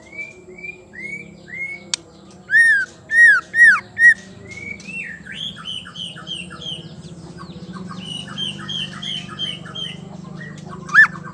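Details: Female white-rumped shama sound meant to trigger male song: short whistles, then a burst of four loud strong upslurred notes, followed by a softer jumble of quick chirps over a steady low rumble.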